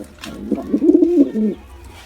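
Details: Single short burst of pigeon cooing from a male and female pair in attack mode, a gruff rising-falling roll ending in a held low note.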